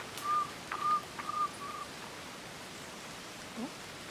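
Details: Cuban trogon of subspecies temnurus singing in Alejandro de Humboldt National Park, Cuba, on 24 February 2017: four soft, level, whistled notes about half a second apart, the last fainter, followed by a quiet background.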